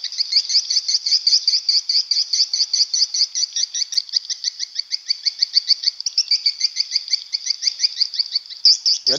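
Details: Swiftlet courtship ("birahi") calls recorded inside a swiftlet house: a fast, steady series of dry, high chirping clicks, about five per second, running unbroken for nine seconds and ending with a low thump.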